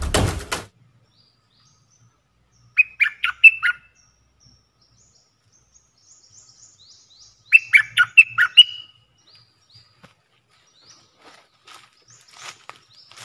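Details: Caged red-whiskered bulbul decoy bird used for luring, giving two short bursts of bright, chattering whistled notes about five seconds apart, with a sharp click at the start and faint high notes between phrases.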